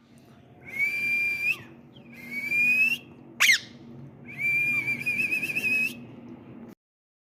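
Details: Pet ringneck parrot showing off its voice with three long whistled notes, each rising gently in pitch, the last one warbling. A sharp, sudden squeak falls between the second and third.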